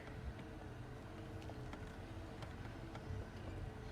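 Steady low engine rumble of a vehicle with faint clicks and knocks, and no animal voice.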